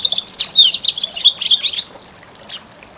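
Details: Spring song of a European goldfinch, a fast run of bright twittered and tinkling notes with brief trills for about two seconds, then a few faint scattered chirps.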